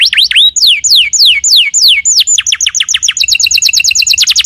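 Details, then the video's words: Canary singing as a lure to draw another canary to answer: upswept and long down-slurred whistles repeated, shifting into a quicker series of short high notes and ending with a fast even trill. "PANCINGAN SUARA BURUNG KENARI GACOR LANGSUNG NYAUT!!"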